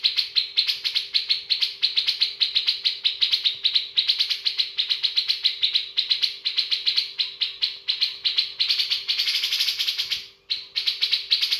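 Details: A richly filled song from a bearded bulbul: a long, dense run of rapid, high chirps and twitters, with one harsher burst near the end before the quick notes continue. A faint low hum is present.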